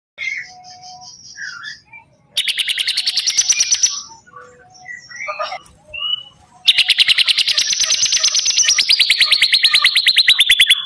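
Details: Bar-winged prinia singing actively: two long, fast trills of sharp repeated notes, about three per second-beat, rising slightly then easing down, preceded by scattered chirps and short whistled notes from other birds.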